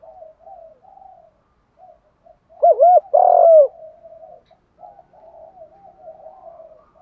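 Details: Spotted dove cooing in contest in the Thổ pha voice style: one loud burst of two short rounded coos and a longer drawn-out coo at mid-clip, set against soft, continuous murmured cooing.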